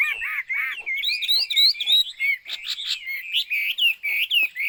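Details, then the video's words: Chinese hwamei delivering a fast, varied song of bouncing whistled loops and sweeping notes, some climbing high, in quick energetic bursts. "burung hwamei/wambi Joss suaranya"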